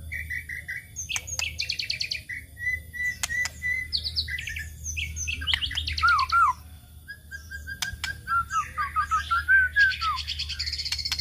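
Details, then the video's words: White-rumped shama song used to lure other birds, made of rattling trills, level whistled notes and a descending warbled run, broken by sharp clicks, over a low background hum. "pancingan murai batu"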